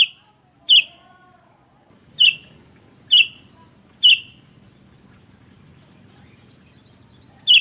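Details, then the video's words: Sooty-headed bulbul calling busily in back-and-forth exchanges, used as lure and tutor sound: five sharp, bright chirps at about one-second gaps with pauses between, over a faint low hum. "Suara PIKAT Burung Kutilang GACOR Bersautan || Suara Masteran Kutilang Terbaik"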